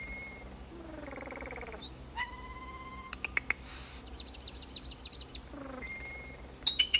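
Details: Slow-motion common starling song with varied phrases: a steady whistle, a descending buzzy slur, flat whistled tones, then a fast rhythmic series of high chirped notes, ending in sharp squeaks over a low hum.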